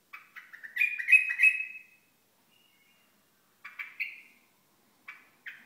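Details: {'caption': 'Hasawi bulbul opening with a burst of rich, scratchy warbling that rises slightly. Silence follows, then two short chirped notes and a final brief phrase.'}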